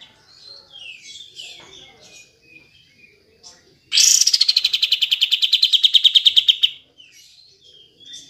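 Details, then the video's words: Kapas tembak trill, used as a lure to get lazy caged birds singing: soft scattered chirps and whistles, then a loud burst of about twenty-five quick, sharp, repeated notes over three seconds, followed by faint chirping again. "Pancingan Kapas Tembak Macet / Malas Bunyi"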